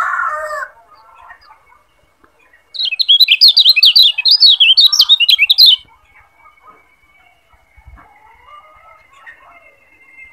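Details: Lombok yellow white-eye (kecial kuning) tutor song for training other birds to sing: a three-second burst of rapid, high, twittering notes rising and falling, with faint thin whistles before and after.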